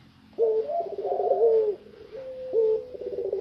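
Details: Long-voiced puter pelung dove, tame and uncaged, giving two low coos: a short opening note, then a sustained, wavering, rolling tone, the second phrase starting after a short gap over faint background hiss.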